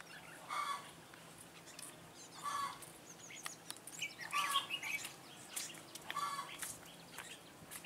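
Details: Red-whiskered bulbul of the Mũ lân Ché type, a decoy singing to lure wild bulbuls into a trap, 9 June 2017. Short clear phrases about every two seconds, mixed with loud rustling bursts.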